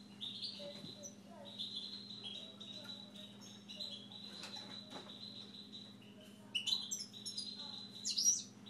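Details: Pet Siberian goldfinch delivering a series of high, level whistled notes with short chirps between, ending in two sharper bursts of bright twittering; faint clicks and a low mechanical hum underneath.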